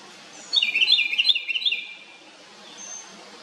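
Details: A little house wren gives a loud, fast, bubbly run of high tumbling notes for about a second and a half, followed by faint thin whistles in the quiet background.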